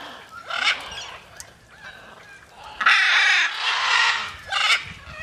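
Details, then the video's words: Macaws flying free, one short rough squawk, a quiet gap, then a long loud grating screech and a final shorter harsh call. "flying macaws"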